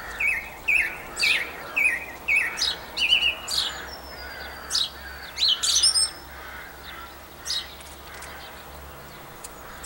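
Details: A song thrush sings in Campbeltown in April 2012: loud, varied phrases of clear whistles and sharp notes, some repeated two or three times in quick succession, over a faint low hum.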